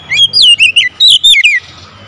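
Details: Oriental magpie-robin (kacer) calling loudly: two bursts of clear, sharply modulated whistled notes swooping between high and mid pitch, each burst of three or four notes, with a short pause between them.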